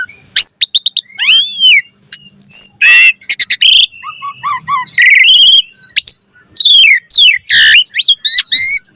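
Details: Asian pied starling delivering varied gacor mompa song as a training master: fast bursts of sweeping whistles, buzzy rattles and low gurgling notes in continuous flow.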